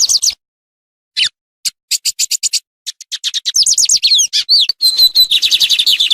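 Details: Lined seedeater, known locally as bigodinho, singing harsh bursts used as a tutor song for competition songbirds: scattered sharp chirps at first, then fast dense runs of high buzzy notes and trills, clean recording.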